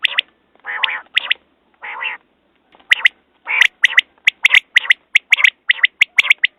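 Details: Quail opening with drawn-out nasal, mewing notes, then a steady run of sharp paired and tripled notes roughly every half second, with crisp clicking sounds among them.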